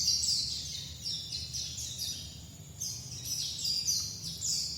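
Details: Dakun white-eye from Bali giving a thin, very high twittering song in a steady stream of short notes, rather faint behind a low background hiss.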